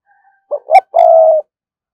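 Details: Caged lure spotted dove cooing to attract wild doves, a brief pair of soft rising coos leading into one drawn-out, even, low mellow note, clear against silence.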